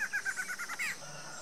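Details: Barred antshrike duet by a mated pair in Brazil: a quick run of about seven nasal notes, speeding slightly, ending in a louder drawn-out note, over faint background hiss.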